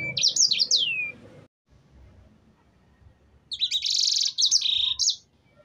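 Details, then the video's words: Energetic canary song played to coax birds into singing: rising and falling high whistled notes end in a downslide, silence follows, then a dense buzzy high trill mixed with sharp chirps. "Pancingan burung sanger gacor agar bunyi"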